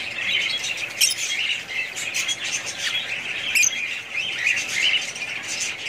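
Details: Chattering budgies produce overlapping high chirps and warbles without stopping, broken by a few sharp, clicky notes.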